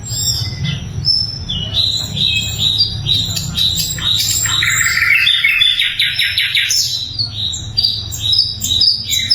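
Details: Loud, clear song of a sikatan londo flycatcher, used to train magpie robins and other songbirds; busy high chirping phrases and a dense rattling trill in the middle, with a steady low rumble behind.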